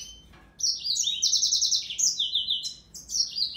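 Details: A short yellow-fronted canary phrase opens after half a second of quiet, then runs as a continuous chain of high, fast trilled notes that shift up and down in pitch.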